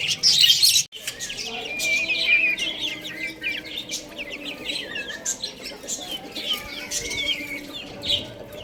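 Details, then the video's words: Baby chickens chirping while playing and eating: several chicks give quick, thin peeps that sweep up and down, overlapping irregularly about three per second, with a loud thump near the start. "Cute Little Chicks Chirping Sounds | Baby Chicken Playing and Eating"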